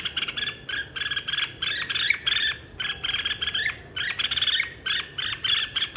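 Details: Red-whiskered bulbul performing fired-up contest song, 2023, described as calling the flock: a dense, nearly continuous run of quick bubbling, whistled phrases with short gaps, delivered loudly and energetically.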